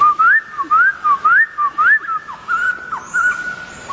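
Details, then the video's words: Energetic laughingthrush song of bright rising whistles, four looping slurs in the first two seconds, then a flatter wavering tone broken by quick downward flicks. "Poksay Thailand Gacor"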